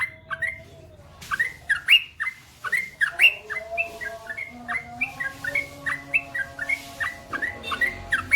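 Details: Yellow-vented bulbul (trucukan) giving a long, energetic ropel song meant for training other birds: a steady run of short, liquid whistled notes that rise then drop, repeated several times a second, with faint tonal background lines.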